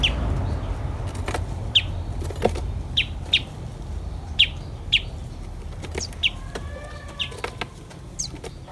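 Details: Common tailorbird feeding its chicks, the parent returning with caterpillar prey: a series of brief, high, clipped chirps repeated at uneven intervals about half a second to a second apart, with a low rumble underneath.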